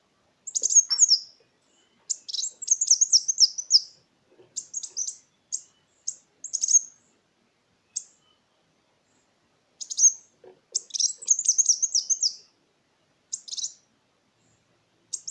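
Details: Long sequence of Kolibri Wulung sunbird lure song, meant to spur birds that stopped singing and to tutor other songbirds; bursts of very high, rapid, descending twitters mixed with single chips, faint clicks underneath.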